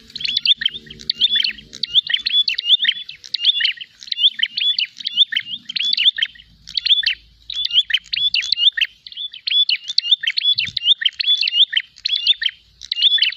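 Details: A prinia, fighting and seeking a rival, calls without pause: dense rapid strings of high chirps and twangy whistled notes repeated in quick bursts, only brief gaps between runs, a faint low hum early on.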